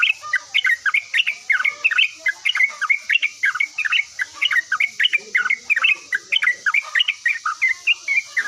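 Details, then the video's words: Yellow-vented bulbul singing constantly and replying at once: a fast, bubbly chatter of short tumbling notes, about three per second, steady throughout, with a thin high background hiss. "OCEHAN BURUNG TRUCUKAN GACOR LANGSUNG NYAUT"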